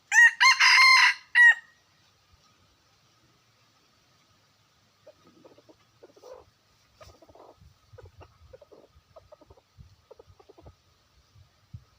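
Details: A red junglefowl, a wild chicken recorded in 2021, opens with one loud ringing crow of several pulses, followed by a long stretch of faint, scattered soft clucking notes.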